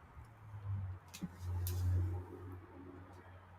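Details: Quiet indoor hum with two swells of low droning and a few faint clicks, without any animal sound.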